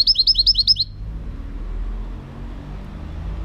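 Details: European goldfinch song, 2018: a short burst of about eight rapid, high, rising chirped notes in under a second, then fading to faint low background hum.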